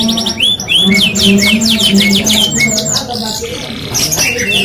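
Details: Canary of F1 stock in energetic song, pouring out fast high trills, sharp downswept chirps and rattling rolls in quick succession, with a low steady hum underneath.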